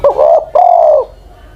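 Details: A single cooing phrase from an old Spotted Dove kept as a decoy, over ten years of age: a short low note followed by a long, smooth, gently falling coo.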